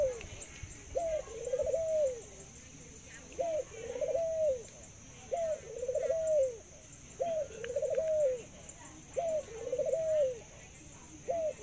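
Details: A pet zebra dove known for a laughing, long-drawn coo. It repeats its phrase about every two seconds, five or six times: a brief upswept note, then a bubbling trilled coo that rises and drops, with quiet hiss behind.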